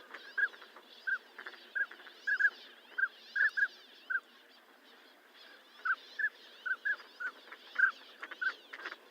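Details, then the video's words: A Northern Pintail gives short, mellow whistled notes, single or in quick pairs, scattered irregularly over a steady background hiss. "SOUND OF A NORTHERN PINTAIL"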